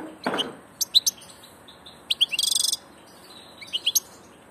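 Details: Migrating European goldfinch with a lively twitter of high chirps and a rapid buzzy trill in the middle, after a brief low rustle at the start.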